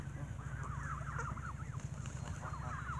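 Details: Evening feeding of geese on bread, the birds squabbling: rapid, overlapping rising-and-falling nasal honks in a continuous chatter over a constant low hum.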